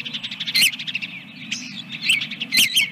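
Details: Osprey at its nest holding a second egg, Dunrovin Ranch, morning of 24 April 2022: rapid series of high, sharp whistled chirps, some rising and falling, with louder clustered notes near the end over a steady low hum.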